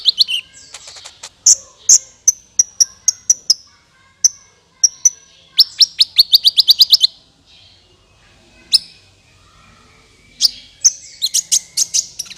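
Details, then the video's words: Lure sound of a sunbird for trapping birds: spaced high sharp tsip notes, a fast run of chips around six seconds, a long quiet gap, then renewed high twittering. "SUARA PIKAT BURUNG KOLIBRI NINJA MANTAP SUARANYA JERNIH"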